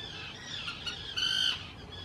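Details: Common tern at the Hula Nature Reserve, Israel, spring 2018, calling noisily in courtship while claiming favoured nesting spots on islands built for nesting. A single short, harsh, squawking call rises out of faint background chatter.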